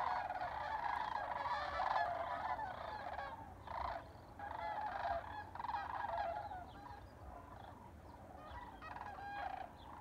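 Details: Sandhill cranes during spring migration in Albuquerque, New Mexico: a chorus of many rolling, bugling calls overlapping in bursts, with rattling harmonic notes and brief quieter gaps between waves of calling.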